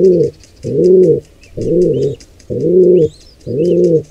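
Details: Wild pigeons at a nest where a squab is attacked by an intruder pair: low, hollow coos, each about half a second long, repeated roughly once a second, with faint thin high chirps above.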